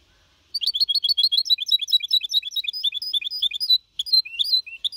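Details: Four-and-a-half-month-old goldfinch hybrid performing clean Malaga copy song, 2021, played to encourage other birds; after a moment of quiet, a steady stream of fast high chirps and twitters with a brief gap near the end.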